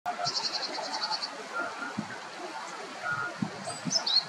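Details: Tits gathering together in alarm: a rapid run of high, buzzy scolding notes, about ten in a second, then a few thin, sharp calls, over low rustling background noise.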